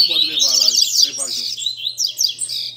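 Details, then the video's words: Double-collared seedeater (coleiro) gives a rapid string of high, scratchy chirps and trills at a Sunday-morning gathering of keepers, one bird moulting, with a man talking over the first second. Double-collared seedeater. "Barderna de Coleiro Entre Amigos!!!"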